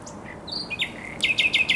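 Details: In spring at the Żerań Canal, Poland, a thrush nightingale sings soft whistles and sweeping notes, then four loud, evenly spaced sharp descending strokes.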